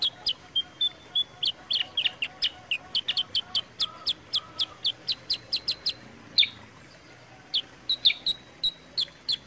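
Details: Kutilang sutra (sooty-headed bulbul), a recording used to prompt and tutor kept birds, with a clear, energetic voice: sharp high chirps repeated rapidly, about three per second, some with brief whistled slides, and a short pause midway.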